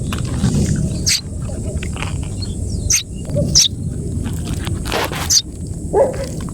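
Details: Fallen Common Myna chick, picked up in the afternoon and held in hand, giving harsh, raspy squawks at irregular intervals of one to two seconds over a low, steady rumble.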